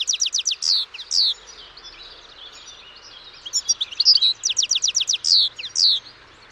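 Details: Song of a European goldfinch, a lively run of rapid tinkling trills broken by drawn-out buzzy, wheezy notes, delivered in two busy phrases with a brief lull between them.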